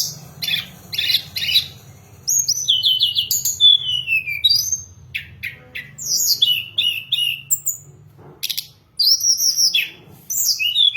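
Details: Hill blue flycatcher singing, used to attract and tutor birds: opening rapid buzzy notes, then varied high whistled phrases with falling slurs and fast trills, lively and continuous over a steady low hum.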